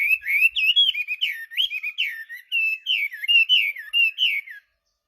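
A Chinese hwamei pours out a rich, fluid song of loud, rising and falling whistled phrases for about four and a half seconds, then stops. No other sounds are heard.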